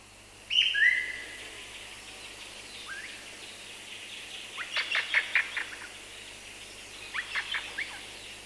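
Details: Black Parrot song: two loud whistled notes, then a soft rising whistle and two bursts of quick, harsh clipped notes, with other birds, including a Madagascar cuckoo, calling faintly.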